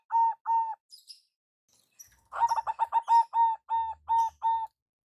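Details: Zebra dove, local perkutut lure call: two single coos, some soft higher chirps and a flutter, then a rapid stuttering phrase slowing into long steady coos, faint low thumps.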